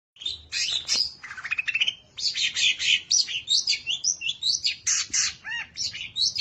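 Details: Long-tailed shrike, a contest-winning bird, singing a song full of mimicked phrases used to provoke rival shrikes into singing: rapid varied high chirps, trills and buzzy notes, with a sweeping whistle near the end.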